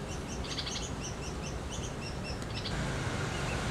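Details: Red-vented bulbul chick sitting at its nest in India: thin, high chirps repeated rapidly and unevenly, fading out after under three seconds, over a steady low background hiss.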